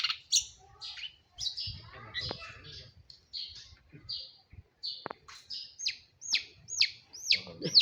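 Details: Madura long-tailed shrike singing actively. A run of sharp, high, down-slurred chirps comes in quick succession in the second half, after a man's speech and scattered clicks.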